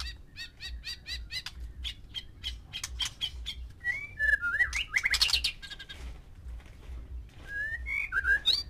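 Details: Male white-rumped shama with six females in captivity, singing to stir mating: a fast series of clicks and ticks, followed by slurred whistles and a few buzzy, scratchy notes.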